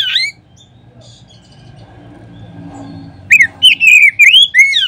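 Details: Song of an Oriental magpie-robin used as a lure for other kacer. After a short opening note and about three seconds of hum, a quick series of clear bending whistles follows, spaced roughly a third of a second apart.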